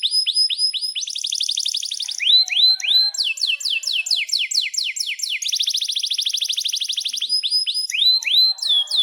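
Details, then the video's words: Domestic canary song used to train young canaries and coax silent ones into singing: long energetic tours of fast repeated downward-swept notes, switching between rattling rolls and sharp whistled phrases, continuous and loud throughout. "Kenari GACOR PANJANG INI Cocok untuk Masteran KENARI PAUD dan Kenari Macet BUNYI"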